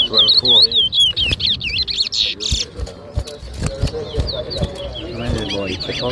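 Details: Towa towa, the chestnut-bellied seed finch, competing in a 2023 whistling contest at Rosehall, Guyana; a loud, bright warbled phrase of quick up-and-down whistles opens, then faster chips and twitters continue over sharp clicks and people talking.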